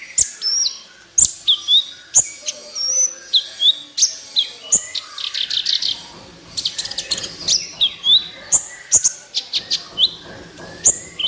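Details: Sunbird, locally kolibri ninja, sings actively for a master recording to prompt caged birds: high, piercing notes each followed by brief falling whistles, repeated steadily, with a denser burst of twittering in the middle.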